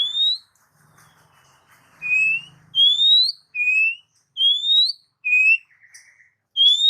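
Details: Oriental magpie-robin song meant for stimulating pet birds, a steady series of clear rising whistled notes alternating high and lower, over a faint low rumble.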